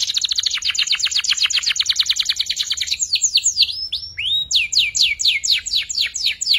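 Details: Young canary learning to sing, used as a tutor recording for magpie-robins and white-rumped shamas: a fast buzzy trill of repeated high notes, then slurred downward whistles and a renewed rapid series of sharp notes.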